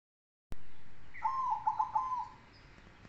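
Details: Zebra dove, silver and cemani types, singing its manggung song: a soft, rolling coo of several stuttered notes that run into a steady purr, after a sharp click, over a low rumbling background.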